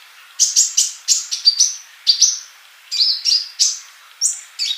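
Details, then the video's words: Male olive-backed sunbird in vigorous song, recorded to tutor young non-singing birds: clusters of quick high chirps alternating with short level whistles, in groups separated by short silences. "Kolibri Ninja Jantan Gacor buat masteran yang masih bisu"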